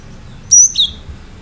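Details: Cinereous tit in full, sharp song meant to set other birds calling: one high level whistle followed by a lower, downslurred note, a single clean two-note phrase against quiet background.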